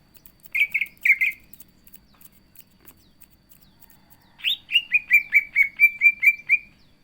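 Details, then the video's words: Cucak ijo, the greater green leafbird, in chatty song: two rough twittered notes, a quiet gap, then a fast string of about ten slurred whistles, each slightly lower. "CUCAK IJO GACOR ISIAN"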